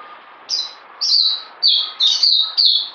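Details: Caged songbird known as puteh, fed health supplements, singing short bright whistled phrases that slur downward, one every half second or so, separated by brief pauses over a faint steady background hum.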